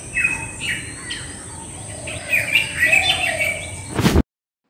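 A Black Drongo gives a quick run of sharp, metallic whistled notes, some rising and slurred, over a thin steady high hiss; a click cuts it off.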